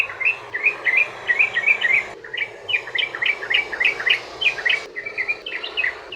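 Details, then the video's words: Long rolling 'ropel' song of a yellow-vented bulbul, used to coax other bulbuls into song: dense bubbling chirps, about three or four per second, broken by brief cuts in the recording. "trucukan ROPEL PANJANG buat pancingan burung trucukan agar bunyi"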